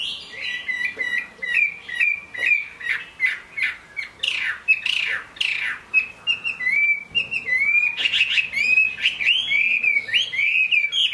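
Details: Chinese hwamei song in the rain from a kept bird: sharp rapid clicking notes and harsh chips at first, then melodious rising whistled phrases repeated in a lively series.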